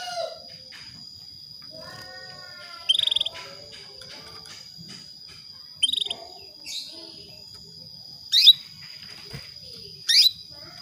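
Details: ['Female canary calling to spur a male into breeding: short pulsed trills at intervals, mixed with sharper descending chirps and faint background bird notes, over a constant high whine.']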